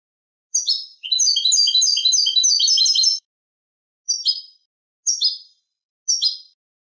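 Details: Tutor song of a Eurasian goldfinch in the Malaga copla style called Manolo, for training young goldfinches and hybrids. A two-second burst of rapid jingling twitters, followed by three clipped high chirps spaced about a second apart.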